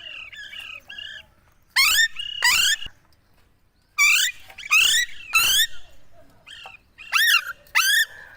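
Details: Talking parrot giving loud harsh calls in paired bursts with stacked harmonics, interspersed with softer whistled notes, in a quiet indoor setting.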